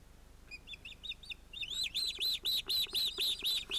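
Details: Osprey at a Finnish nest with two young, 31 July 2018: faint high notes build into a loud, steady series of arched, whistled yelps, about four per second.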